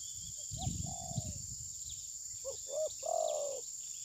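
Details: Spotted dove decoy recorded on a phone during tabir-style trapping. After low rustling, a single drawn-out coo is followed by a quick rolling cluster of short coos ending in a longer note; insects hum faintly.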